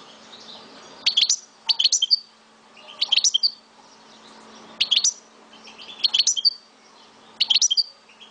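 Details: Algerian goldfinch kept as a pet, from Souk Ahras in Algeria, singing short bright twittering bursts of tinkling notes, repeated roughly every second, with brief silent gaps between them.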